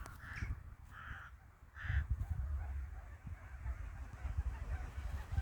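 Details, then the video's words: Crows in a wintry village giving three harsh, nasal caws in quick succession within two seconds, then falling quiet, against a constant deep rumble in the background. "the sound of crows"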